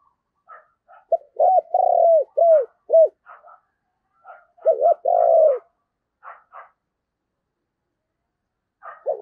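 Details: Decoy spotted dove calling to lure wild doves: low, mellow coos in short bursts, a quick double note followed by a longer drawn-out falling crooo, given twice, with faint soft chirps scattered between phrases.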